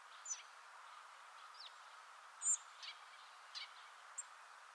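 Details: Hawfinch calls and subsong: sharp, high, clipped ticks, one louder in the middle, with softer brief chirps and slurred notes between them over a steady low hiss.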